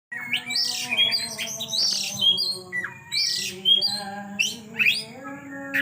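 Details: Oriental magpie-robin singing in the energetic 'kejang' style while unloading its repertoire: loud varied whistles, squawky notes and sharp rising chirps in rapid bursts, over a steady low hum.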